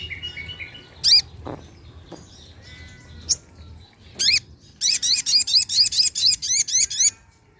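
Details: Sunda pin-striped tit-babbler, locally sogon, lure recording: scattered sharp high notes, then a rapid series of about ten loud, buzzy, ringing notes repeated several times a second over two seconds, fading into quiet background.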